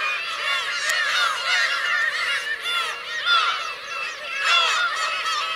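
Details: Black-tailed gulls, adults with their chicks, at Kurosaki coast on Teuri Island, Hokkaido, Japan, June 17, 2021: many birds calling at once, harsh arching mews and honking cries piling over one another, swelling in brief louder bursts.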